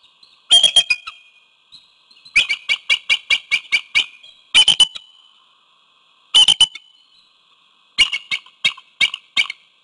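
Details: Bald eagle pair at their nest with one egg near Codorus State Park, Hanover, York County, Pennsylvania, on a February 2021 evening around 5:20 pm, filmed by a nest webcam. One eagle calls to its mate with bursts of high, sharp, rapid chattering notes, in groups every one to two seconds.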